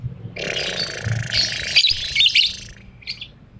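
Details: 'Ambrol' chatter from a molting lovebird, 'konslet' style: one continuous, harsh, squeaky stream of high chirps and rasping notes lasting about two seconds, followed by a short faint chirp.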